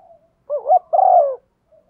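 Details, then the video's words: A female spotted dove coos to excite a male, a call used as a decoy. One mellow phrase is heard, two short undulating hoots leading into a drawn-out coo that drops in pitch, with faint soft notes around it. "Tiếng chim cu gáy MÁI kích trống, chim cu mái thúc gù"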